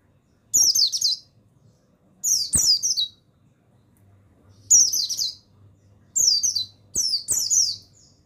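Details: Buxtoni mountain white-eye male singing master material meant to get other birds singing: five short, sharp, high-pitched twittered phrases with falling notes, separated by brief pauses over a soft steady hum.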